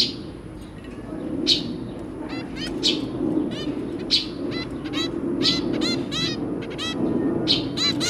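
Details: A zebra finch pair and their three babies, recorded 23 January 2022, give short, nasal, toy-trumpet beeps, singly and in quick clusters, over a steady low indoor hum.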